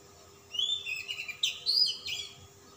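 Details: Oriental magpie-robin, described as a persistent, display-flaring bird of calm type with a rich mimicked repertoire, singing a varied burst of high whistled and chattering phrases with sharp rising notes, over a faint steady hum.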